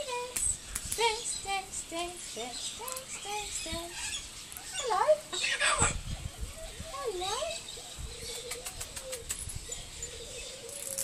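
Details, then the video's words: A talking corella at Silverton, NSW, on 25 June 2010, chatters in speech-like phrases of rising and falling warbled notes with a few squeaky, nasal syllables, over a faint hiss. "Talking Corella"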